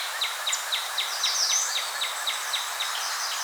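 A Wood Thrush sings two notes at once: a rapid run of high, thin, downslurred notes about four per second, with airy upper tones over a steady hiss.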